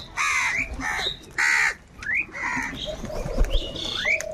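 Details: Large flock of crows, said to be fighting over food, giving harsh, broad caws in short bursts with rising upslurred calls between, amid a busy chorus of other birds.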